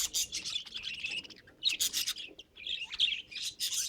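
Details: Pet budgerigar chattering in bursts of raspy, scratchy warbles and fast chirps, with short pauses between phrases.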